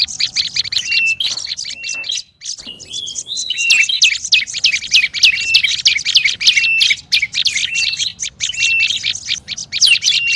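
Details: Olive-backed tailorbird lure sound: busy stream of high, sharp chirps with frequent short flat whistles. A brief quiet gap near two seconds before the dense chattering resumes and continues to the end.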